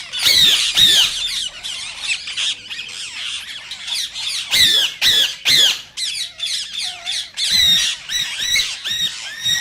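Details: Green Indian rose-ringed parakeet, whose voice is said to excite other parakeets to mate: loud, grating screeches repeated in uneven rapid bursts, interspersed with softer raspy chatter.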